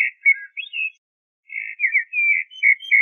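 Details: Common blackbird song: two short bursts of fluted, warbling notes near middle pitch, separated by a half-second pause, with a few brief higher squeaks. No other sounds.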